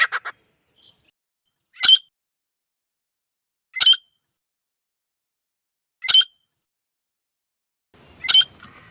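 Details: Grey francolin, said to be a female and male pair, giving sharp, high, ringing call notes, one burst roughly every two seconds, with a brief opening note and faint background hiss near the end.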